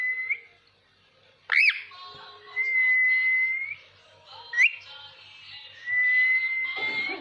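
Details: Long, even whistles held for over a second by a ringneck parakeet, broken by sharp upward-sweeping calls, with a faint low hum in the background.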